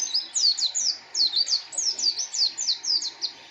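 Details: White-eye (pleci) song: a rapid, steady run of bright, high, slurred chirps, each sliding downward, about four per second, loud and clear over a quiet background.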